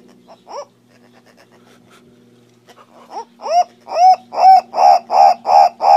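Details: Guinea turaco (Tauraco persa), an African bird: a few soft notes, then a rapid series of loud, hoarse 'kow' notes, about three per second, building in volume over a low steady hum.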